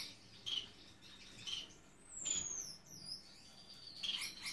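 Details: Gouldian finch in courtship, dancing while choosing a mate; brief high chirps sound about once a second, and a long, thin, descending whistle-like sweep crosses the middle.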